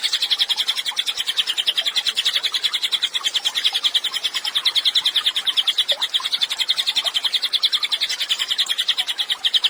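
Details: Energetic Cililin song meant for tutoring other songbirds, a sustained high buzzy chatter of rapidly repeated sharp notes that runs unbroken for the whole stretch, swelling and fading in quick regular pulses.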